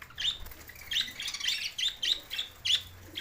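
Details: Budgerigars in Larkana, Sindh on June 7, 2024, making short, bright chirps repeated roughly every third of a second, uneven in timing, with faint background chatter.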